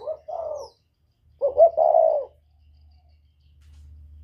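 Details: Northern whistle-voiced spotted dove used to stir wild doves: two soft coos, a pause, then two clipped notes and a long wavering coo, a faint hum rising afterwards.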